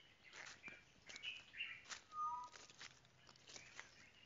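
A tropical boubou gives a few soft, pure whistled notes, one a slightly falling whistle, among faint higher chirps, scattered clicks and quiet background noise.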